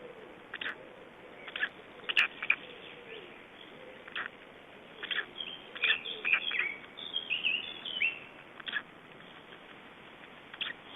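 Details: Several three-day-old Black Stork chicks in Estonia, 2012, keep up a busy run of short harsh peeps and squeaky chirps, clustering into a loud flurry midway, with steady hiss beneath.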